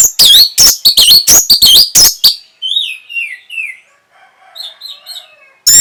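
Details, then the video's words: Orange-headed thrush (Geokichla citrina) gives a fast run of loud, harsh-edged chattering notes, then softer high whistled phrases that slide and fade, ending in a brief loud burst. "NYANYIAN BURUNG PUNGLOR"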